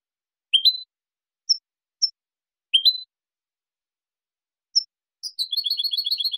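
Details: European goldfinch song used to train juvenile goldfinches: clean, isolated high chirps and short upward-stepping notes, then a fast, tinkling twittered run of repeated notes at the end, with a silent background.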